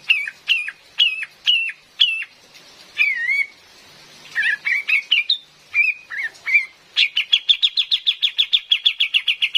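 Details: Female cream-vented bulbul calling, a recording meant to lure birds in forest: sharp down-slurred notes repeated every half second, jumbled wavering phrases, then a fast even train of about seventeen clipped notes.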